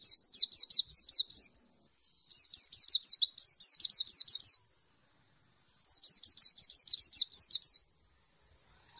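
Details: Mountain White-eye, local name dakun, from Merapi, in the long clear 'ngalas plong' song: repeated phrases of rapid, high, sharply falling chirps, each about two seconds long, separated by brief pauses.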